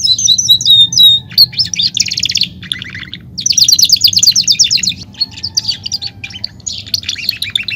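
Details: Caged Belgian canary singing a varied run of high whistles followed by fast rattling trills and dense buzzy rolls, phrases shifting every second or so.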